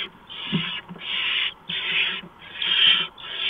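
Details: Night-time barn owl nest, early morning of 6 March 2015, with a mouse being delivered: four harsh, breathy hissing screeches, each roughly half a second, separated by short silences, faint rustling underneath.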